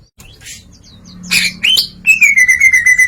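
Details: Greater green leafbird singing in an open, varied style: scattered soft chips, then a loud rising whistled slur, and a long descending whistled note with a quivering series of pulses.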